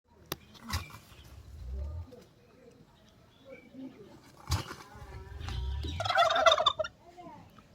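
A turkey gives one rapid, rattling gobble of about a second near the end, over low rumbling and several loud knocks and thumps.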